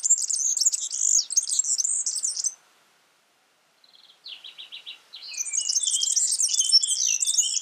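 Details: Yellow-fronted canary singing prolifically in the wild: a long, high, rapid warble, a short silence, a string of quick buzzy chips, then renewed loud twittering song mixing very high notes with lower trills.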